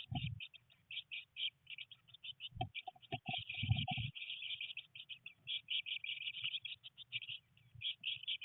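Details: Nest box with three Eurasian blue tit young on day 19, rain falling, first flight attempts; dense, high-pitched chirping runs throughout, with a few dull thumps and rustles in the first half.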